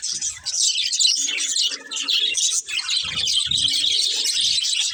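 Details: Several pet budgerigars chirping together: a dense, continuous high-pitched chatter of overlapping twitters and warbles with no pauses, with a few soft low thumps in the background.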